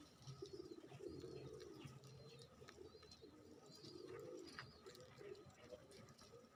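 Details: Bangladeshi racer domestic pigeons, one calling as it approaches while another feeds, give low, rolling coos that swell and fade in overlapping phrases.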